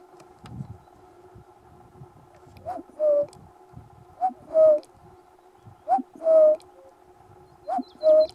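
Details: Male common cuckoo on Islay, Scotland, in June 2021, giving four clear two-note cu-coo calls, the second note lower, spaced about one and a half seconds apart, over a steady low hum, with a faint small bird at the end.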